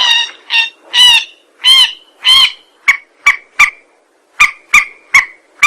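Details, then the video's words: Rail lure call for trapping: several drawn-out nasal honks with a slightly rising tone, followed by shorter, sharp clucking notes in twos and threes. "Suara pikat burung mandar"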